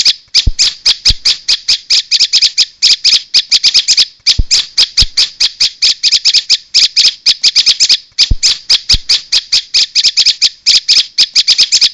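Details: Bar-winged prinia calling for luring other prinias: insistent, harsh, high chatter of fast-repeated notes in long runs, with short breaks roughly every two seconds, steady and loud over a quiet background.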